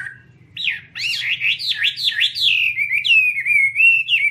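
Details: Chinese hwamei pouring out fluid rising-and-falling whistles that run together into a melodious, wavering phrase, ending in a sustained slurred note, with faint low hum beneath.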